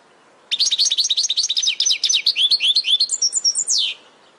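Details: Caged-bird training recording of a European goldfinch: a continuous three-second phrase of quick, bright, tinkling twitters with slurred whistles, rising in intensity and ending on a falling buzzy note.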